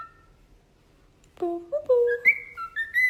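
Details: Pet parrot vocalizing after a second of near silence: a string of varied tonal notes stepping from low to higher pitches, some bent and sliding, in a rapid, speech-like run.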